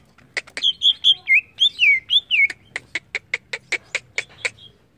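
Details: Greater green leafbird singing agitatedly: a run of wavering whistled slurs, then a steady series of about a dozen sharp chips, some four per second.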